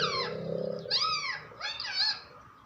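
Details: Pet parrot talking: a droning, buzzy note gives way to two arching, whistled, voice-like phrases, fading at the end.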